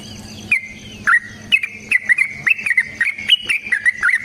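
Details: Fighting-style rapid song of a sooty-headed bulbul, used as a lure to make others sing back; a couple of separated whistled notes, then an accelerating run of short bright slurred phrases.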